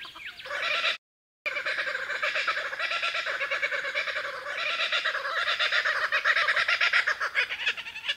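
Kookaburras give a raucous, rapid cackling chorus, harsh chuckling notes tumbling over one another almost without pause, broken once by a brief silence.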